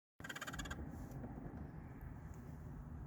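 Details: Crows that visit a workplace almost daily give an unusual, rarely heard call: a short harsh burst with rapid pulsing for about half a second, followed by steady low rumbling background noise.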